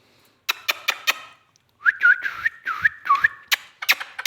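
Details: Pet Indian ringneck parakeet, described as dancing, makes a wavering whistle that swoops and loops in pitch. Before and after it come short clicking taps, with a person urging it to dance.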